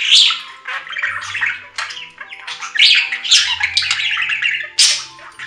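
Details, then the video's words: Excited budgerigar warble: rapid squeaky chirps, raspy squawks and sharp clicks tumbling together, several loud peaks, faint low hum behind. "3 Hour Budgie Sounds for Lonely Budgies"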